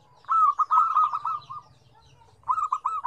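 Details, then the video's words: Zebra dove song, one of five lively combinations of different tones: a loud rolling phrase of quick staccato coos lasting over a second, a pause, then another phrase starting. "SUARA PERKUTUT RAME 5 KOMBINASI DENGAN NADA BERBEDA-BEDA"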